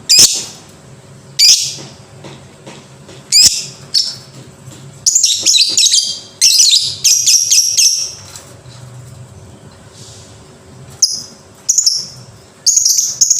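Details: Lovebird in ngekek-style song. Isolated sharp chirps open, then a dense chattering run of high, rapid notes follows in the middle. Scattered shrill calls come after a pause. Quiet background hum.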